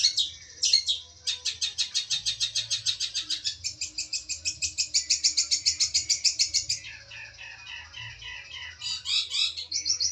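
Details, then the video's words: Competition-champion long-tailed shrike singing varied high phrases: a few sharp chips, then long runs of rapid, evenly pulsed buzzy notes, a smoother sustained stretch, and closing with scratchy chattering bursts. "cendet slalu juara d tingkat kabupaten dan nasional yg d sukai ribuan pecinta kicau"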